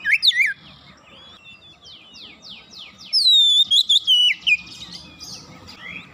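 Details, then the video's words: Caged Oriental magpie-robin (kacer) singing quickly after prompting: twisting whistled notes, a run of descending buzzy sweeps, then a loud bright whistled phrase with quick inflections, fading into softer warbling. "sekali pancing Kacer macet bunyi cepat gacor"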